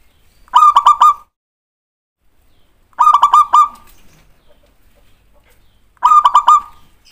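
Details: Local zebra dove lure song, used to provoke a quick reply from other doves: three bursts of stuttering, pulsed cooing, each about half a second long, repeated every three seconds in a quiet setting.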